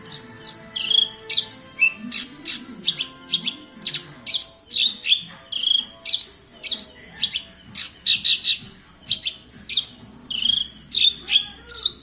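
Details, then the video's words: Steady, busy song of a Javan bush lark recorded in Kediri: sharp high chirps and brief buzzy downslurs repeated two to three times a second for a long stretch, with soft low background noise. "Branjagan gacor"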